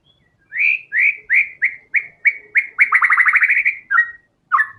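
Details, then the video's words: Gacor murai batu, the white-rumped shama: eight clear whistled notes repeated about every third of a second, then a dense fast rattle of stacked notes, then two separate whistles. "TEMBAKAN MURAI BATU GACOR BONGKAR SEMUA ISIAN FULL FIGHTER"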